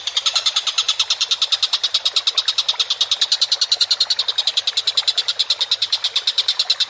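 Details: Vigorous calling of a collared kingfisher, recorded for training songbirds: a long unbroken run of sharp, rattling notes at a brisk, steady pace of about nine per second, dry and chattering throughout.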